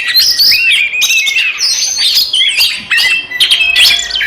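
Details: Fighting song of an Oriental magpie-robin meant to stir rivals: bursts of bright whistled slurs and scratchy chatter, loud and high, broken into several tight phrases separated by brief gaps.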